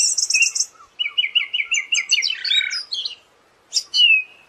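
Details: Siberian thrush song offered as tutor audio for kept songbirds: a high buzzy trill opens, then a series of repeated whistled notes and a warbling cluster, a short gap, and a final sweeping whistle.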